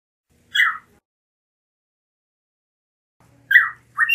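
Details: Blue mockingbird, Melanotis caerulescens: two short slurred whistled notes near the middle pitch, one early and one after a long silence, the second followed by a brief sharper note.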